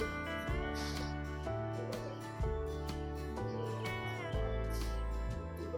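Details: Plucked guitar chords and a sliding steel-guitar line carry a relaxed country tune throughout. No bird chirps or other animal calls rise above the music.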